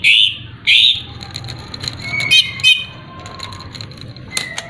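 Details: Greater green leafbird song used as a lure to provoke a rival: two loud, harsh, high notes open, followed by softer scattered chirps, short whistled tones and a few sharp clicks over a low hum.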